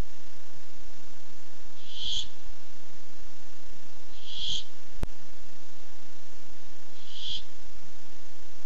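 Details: Hissing screeches from a Barn owl that came by looking for food on 8-7-15, three in a row about two and a half seconds apart, with a single sharp click between the second and third.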